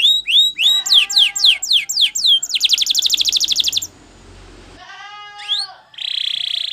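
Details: Spanish Timbrado canary, champion song for training: repeated upward-curving whistled notes speed up into a rapid metallic trill, a quiet pause, a single swept note, then a steady buzzy roll.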